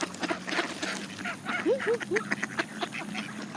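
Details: Canada geese feeding on seeds alongside mallard ducks; three short arched tonal notes rise and fall in quick succession amid constant pecking clicks and rustling.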